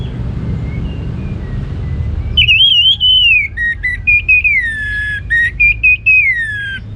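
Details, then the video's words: Orange-headed thrush in ngeplong gacor song. After a quiet start with a faint hum, it gives a series of long, clear whistled notes, each sliding downward, separated by brief pauses. "Anis Merah Ngeplong Gacor"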